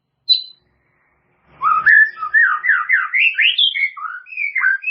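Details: White-rumped shama song used as a training recording to help caged birds learn new phrases: a short high note, then a run of loud slurred whistles climbing and falling in quick succession.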